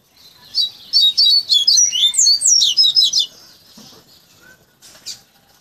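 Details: Caged coleiro, a Double-collared Seedeater in the Bahia style, tutored from a chick over three to five months into a flute-like flauteado song: a rapid series of high, clear whistled notes sliding up and down, then a pause and a few faint chips.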